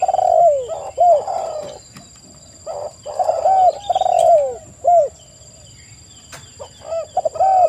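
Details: Spotted dove song: repeated low hooked coos in quick phrases, several doves seemingly overlapping, with a steady high electrical whine and occasional clicks in the background.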